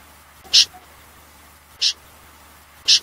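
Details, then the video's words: Common snipe, three short harsh rasping notes spaced about one to one and a half seconds apart against a quiet background. "Tiếng chim dẽ giun, nhát hoa"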